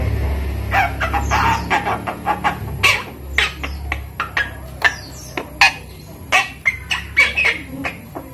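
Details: Javan myna, five months old, raised by hand and learning to speak, giving many short sharp clicks and squeaky notes, some whistled, in a loose irregular series over a low hum.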